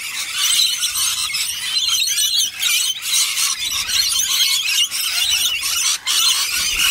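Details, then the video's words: Rainbow lorikeets screech loudly and almost without pause, a harsh, grating, high-pitched chatter with several birds seemingly calling at once. "Rainbow Lorikeet"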